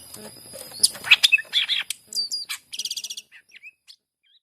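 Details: Greater green leafbird (cucak ijo) song meant to coax reluctant birds into singing: varied chirps and slurred whistles, then a rapid buzzy rattle and a few soft closing notes.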